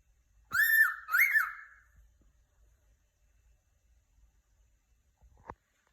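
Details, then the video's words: A happy cockatiel gives two quick harmonic chirps back to back, each sliding up and then leveling off. Near-silence follows, broken only by a faint click at the end. "happy cocketeil chirping"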